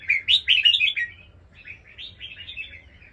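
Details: Red-whiskered bulbul of Indonesian crossbred fighting stock, singing in the 'songkon' voice style; two bursts of rich, bubbly warbled phrases, the first loud and rapid, the second softer and more slurred, with no other clear sounds.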